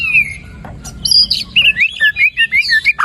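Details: White-rumped shama song played to stimulate a quiet bird to sing: varied loud whistled phrases, then a fast series of short slurred whistles repeated about every quarter second, with a low hum underneath.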